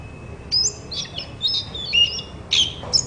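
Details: Oriental magpie-robin therapy song to make a silent bird reply: a handful of high buzzy whistles and squeaky slurs in short bursts, somewhat quiet against light background noise.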